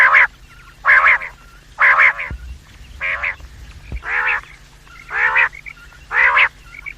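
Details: Quail giving harsh, nasal, rasping notes, each a third of a second long, repeated about once a second over a low steady hum; a morning and evening quail call used as a lure for trapping.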